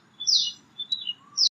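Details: Wild female golden-backed woodpecker calling near a truck in a car park at Jurong Lake Gardens on May 17, 2025, while confronting her reflection in its side mirror, her mate resting nearby; three short, thin, high squeaky notes within a second and a half.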